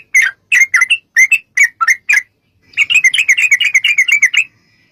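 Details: Yellow-vented bulbul in lively long-running song, played as a lure to draw answering song: a spaced series of bright, clipped chirps, a short pause, then a dense rapid run of chattering notes.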